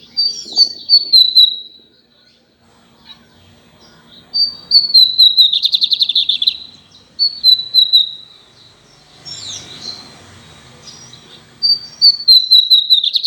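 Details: Pet lined seedeater singing at length, repeating one phrase roughly every three seconds: a clear high whistle falling into a rapid buzzing trill. Quiet gaps separate the phrases, with soft rustling between.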